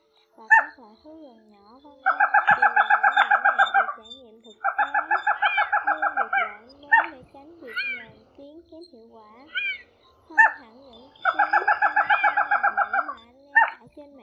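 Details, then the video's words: Night net-trapping lure of crake calls, male and female, described as cat-like: three bursts of quick, evenly repeated nasal notes lasting about two seconds each, interspersed with isolated downslurred and wavering calls, faint low hum throughout. "Tiếng Bẫy Gà Nước Họng Nâu , QUỐC HỌNG NÂU Bẫy Lưới Đêm 2024 , Gà nước họng nâu trống mái full"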